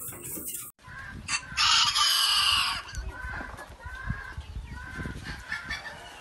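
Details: A rooster at a breeding farm in Ponta Porã, Mato Grosso, gives a bright, strained crow of about a second over a noisy, hissing background with scattered clucks and knocks.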